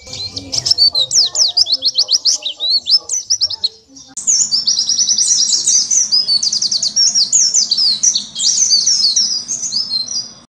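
An Oriental white-eye sings a fast, high, twittering song of rapid chirps and trills, with a short pause around four seconds before the song continues.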